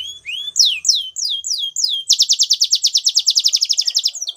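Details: A Spanish Timbrado canary sings rising then falling whistled slurs about three per second, followed by a rapid high rolling trill of rhythmic repeated notes.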